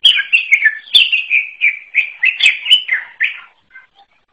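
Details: Greater green leafbird singing an unusual song in a continuous chattering run of quick warbled notes that fade into a few soft single calls at the end.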